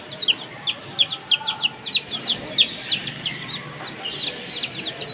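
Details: Three one-month-old chicken chicks of a comet hen playing: rapid high peeping chirps, each a short sharp note, tumbling out several per second in overlapping irregular runs over a faint background hiss.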